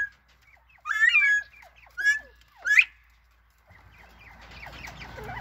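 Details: Northern bobwhite chatter: three loud slurred, rising whistles within two seconds, then softer overlapping chirps amid growing low background noise.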